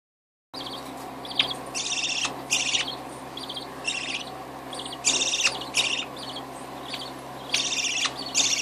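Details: Budgerigar chick gives raspy, buzzy begging bursts in quick irregular runs while being fed by its parent.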